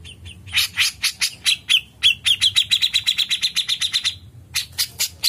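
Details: Grey-cheeked bulbul giving a long, fast chatter. Clipped notes repeat about four times a second and run into a sustained, buzzy trill, with a short pause before a few final sharp notes.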